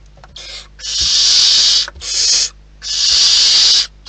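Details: Barn owls at a wild nest give long, harsh hissing screeches, three sustained bursts of up to a second each, with quiet gaps and soft thuds between them.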